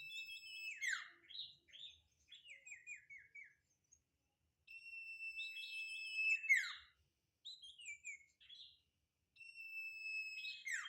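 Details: Sirtu in full song, quietly recorded: three phrases, each a long, even, high whistle followed by a tumbling series of short descending notes, separated by brief pauses.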